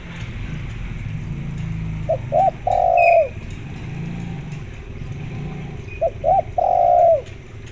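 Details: Spotted dove calling, used as a lure to get zebra doves to call: two phrases about four seconds apart, each of two short coos then a long, slightly falling coo, over a steady low rumble.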